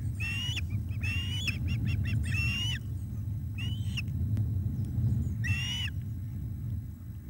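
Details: An osprey at the Loch of the Lowes nest as the male arrives with fish for the female, 7:48 pm, 17 July 2021: bursts of loud, slurred whistling cries mixed with rapid chirps, separated by short gaps, over steady low rumble.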